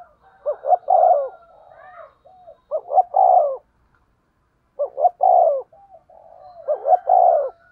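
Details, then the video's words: Spotted dove kept as a decoy, cooing in 'thổ' voice 'thúc gù' style: three phrases, each with quick stuttered notes leading into a drawn-out mellow coo, and faint softer notes between them. "cu gáy giọng thổ THÚC GÙ bài bản"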